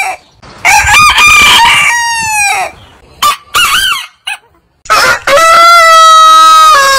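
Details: Heritage-breed roosters crowing long, with overlapping wavering crows, short cackle-like notes in the middle, then one sustained, clear crow of nearly two seconds at the end.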